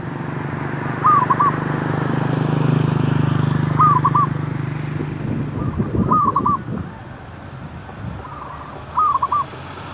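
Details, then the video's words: Zebra dove (merbuk) heard while luring wild doves for trapping; four short rolling coo phrases spaced a few seconds apart, partly masked by low engine rumble and a rustling burst midway. "MEMIKAT MERBUK"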